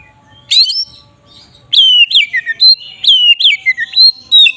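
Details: Ngeplong singing from a magpie-robin (kacer), used to make other magpie-robins emotional: an opening rasp, then a string of looping whistled notes at about one per second.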